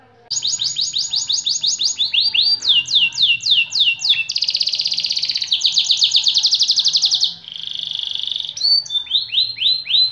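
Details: White AF canary delivering an extended song of changing tours: brisk descending trills, a dense buzzy churr, a steady whistled stretch, then slower rising slurs.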